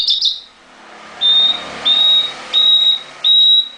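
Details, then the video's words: In a cage, a nightingale gives a brief burst, then four long, level, pure whistles spaced about two-thirds of a second apart. "Nightingale singing in the cage Hassania fee kafase"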